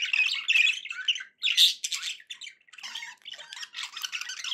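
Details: Happy pet budgies chattering busily indoors: dense, buzzy warbles and sharp chirps with a few piercing squeaks, steady overlapping calls with one brief gap.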